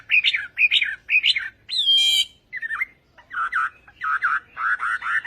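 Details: Vietnamese-style singing by a Chinese hwamei (họa mi tây): harsh, scratchy repeated notes with one squealing burst, then a brief pause and rougher grating phrases.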